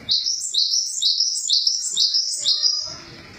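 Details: Java sparrow with a loud, fast chain of high, sharp, stepped chirps, about six notes in two and a half seconds, trailing off into quiet background noise.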